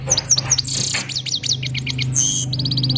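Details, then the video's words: Goldfinch from Parachinar, called a Himalayan goldfinch, sings a fast, high twittering song of sharp chips and quick buzzy trills, with a low steady hum underneath. "Himalayan gold finch slowly motivational sings"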